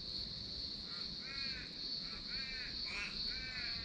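Wonga pigeon giving short, hollow notes repeated about twice a second, over a steady high insect drone.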